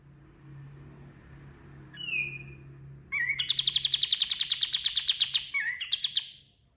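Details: Kapas tembak white-eye in vigorous song for tutoring other birds: one downslurred whistle, a low steady hum behind it, then a long rapid high trill broken by a short twitter before a final trill.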